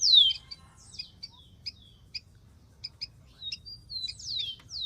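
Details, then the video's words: In the wild, a rufous-collared sparrow starts with one strong falling whistle, then sparse high chip notes. A soft drawn-out whistle and more downward slurs follow toward the close. "MASTERAN.BURUNG KICAU"SPARROW RUFOUS"(KICAU MANIA)Full Gacor di alam liar."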